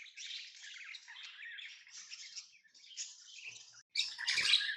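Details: Lovebirds chatter rapidly in scratchy, high chirps, a few every second at steady volume. A brief gap comes before a louder, shriller burst near the end.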